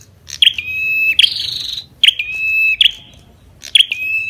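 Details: Ashy tailorbird song with the female's calls: three phrases, each a bright staccato note followed by a long, even, steady whistle, one of them with a higher buzzy note before it. A faint low hum is audible in the background.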